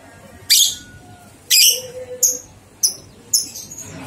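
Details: Lovebird ngekek training recording, 123 beats, made to stimulate two-month-old young lovebirds; five bright, high, clipped chirps sound about once a second, each a sharp piercing burst, with faint low background noise.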